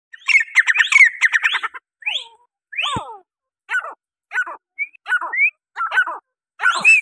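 A grey francolin opens with a rapid burst of harsh, chattering notes, then gives loud, grating two- and three-part phrases roughly every half second.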